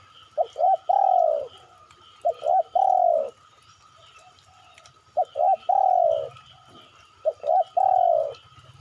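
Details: Spotted dove lure call for prompting birds to reply: four phrases, each two quick coos followed by a long drawn-out downward coo, spaced a couple of seconds apart, with a soft steady tone behind.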